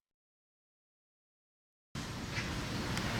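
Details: Nearly two seconds of silence, then steady broadband rumble and hiss like passing traffic or wind, with no animal call.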